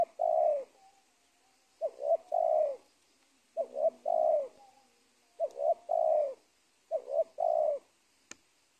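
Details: Spotted dove in the wild at a teak plantation edge by an old cornfield, the ruling bird there before its capture, giving five mellow cooing phrases of two quick notes and a drawn-out descending coo, with a faint low hum once.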